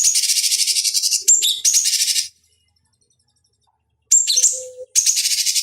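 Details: Cucak cungkok bulbul, recorded as master song for training fighting birds, giving long rapid buzzy trills at high pitch with a whistled note inside. A two-second silence falls in the middle.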